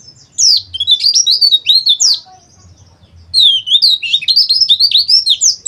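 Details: Oriental white-eye, kept as a cage bird and played as training audio to make other birds sing harshly and open their beaks, gives a fast, rich warbling song of high, twisting whistled notes in two long bursts.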